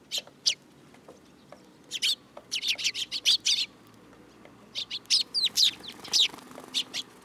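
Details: Sparrows coming to perch on a person's hand at Tenmangu shrine, 8 July 2022, giving short, high chirps in quick bursts of several notes, with pauses between the bursts.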